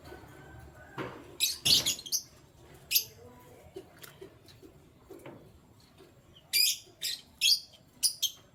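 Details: Morning canary sounds: scattered sharp high chirps, some clustered in quick pairs and triplets, with soft clicks and knocking between bursts and a quieter stretch in the middle.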